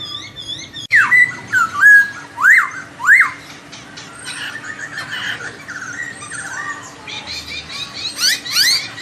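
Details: Laughingthrush song melodious enough to set off a second, lazy singer: loud swooping whistles sliding down then up, several in a row, followed by softer chatter and a few sharp rising squeaks.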